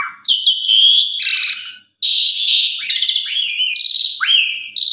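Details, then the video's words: Asian pied starling song used as a lure to make other starlings sing, a bold pumping style full of varied phrases: loud clear whistles, sharp rising slurred notes and harsh rasping bursts in quick succession, a brief break near two seconds, no other sounds. "Pancingan Suara Burung Jalak Suren GAGAH,MOMPA FULL ISIAN Bisa Bikin Jalak Suren Lain Ikut Gacor"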